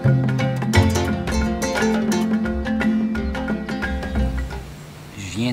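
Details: Bright marimba-like music plays throughout, with a voice speaking over it. No animal calls can be picked out.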